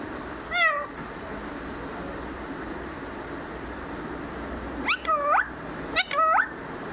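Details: Talking pet parrot, the words "mithu mithu" given for it: one short harmonic voiced phrase near the start, then two quicker wavering voiced phrases close together after a long quiet stretch, over low room hum.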